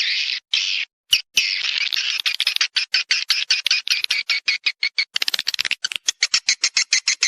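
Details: Swiftlets heard in a lure recording meant to draw them to mate and nest in a swiftlet house: dense, buzzy high chirping, first as a near-continuous rasp, then breaking into rapid separate chirps, several per second.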